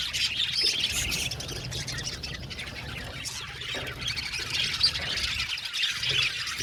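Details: Budgerigar colony in an aviary, 70 pairs strong, heard as quick overlapping chirps and squawks forming a busy chorus, with a low rumbling hum beneath.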